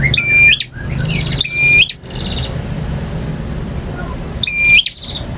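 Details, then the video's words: Male bar-winged prinia song, full variation in the ngotot, ngalun and kristal styles. Two quick phrases pair a trilled buzz with a high, flat whistle and a snapping end, then a pause, then a third phrase. A faint low hum runs beneath. "KICAU PRENJAK JANTAN FULL VARIASI DURASI PANJANG || NGOTOT,NGALUN,VARIASI,KRISTAL"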